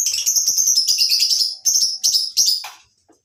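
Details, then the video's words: Caged lovebirds in a mini colony aviary on a breeding farm in the morning; rapid, shrill high-pitched chirps run almost continuously, then break into a few sharp squeaky bursts before falling silent. "Suasana Pagi Di Peternakan Burung Lovebirds Di Kandang aviary mini"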